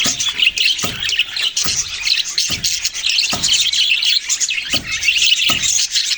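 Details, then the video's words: Budgerigars chirping: a dense, continuous high chatter of overlapping twittering and warbling notes, with sharp clicking taps recurring about every second throughout. "parrot sounds and chirping sounds"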